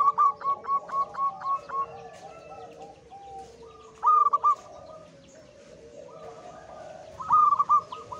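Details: Zebra dove, a local wild male in high breeding condition, sings a run of evenly spaced staccato coos, then short loud trilled phrases repeated about every three seconds, while other doves coo softly behind.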